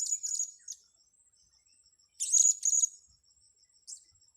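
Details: During lure-trapping on grass, a blue-crowned hanging parrot gives sharp high squeaky trills: a burst at the start, a silent gap, two more loud rattling bursts, then a short final squeak over a soft insect-like pulse.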